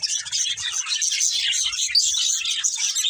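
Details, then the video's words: Budgies chatter continuously in bright high warbles and chirps, with a few soft low taps in the background. "Cute Budgies Chirping Sounds"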